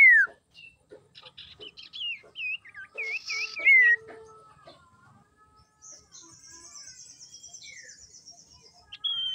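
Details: Female common iora, used as a lure to provoke males into singing, giving a busy series of short chirps and looping, wavy whistled notes with a bright drawn-out slur near the middle, then thin high trills and scattered soft notes.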